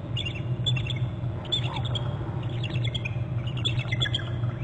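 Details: Bald eagles at their nest and territory on Hornby Island, 25 November at 11:19. One eagle has flown in to a branch and both birds trill. Thin, high chittering notes come in quick bursts over steady low background noise.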